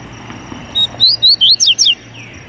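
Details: Short, loud Double-collared seedeater phrase: six rapid, clear whistled notes, some sweeping down, delivered in just over a second over a faint hum.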